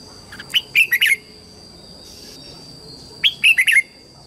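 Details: Red-whiskered bulbul lure bird singing to call wild bulbuls in to fight: two bursts of four or five quick, warbled notes around the upper-middle pitch, separated by about two seconds of quiet, with a faint steady high hiss behind.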